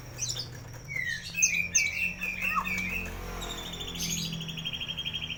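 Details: White-rumped shama singing, used to coax silent birds into song: sweeping whistles and chirps, a downward slurred note, then a fast trilled series under steady low hum.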